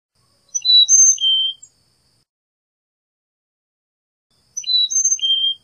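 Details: Two clear whistled phrases from a Carolina chickadee, each about four pure notes alternating high and low, the phrases roughly four seconds apart in a quiet setting.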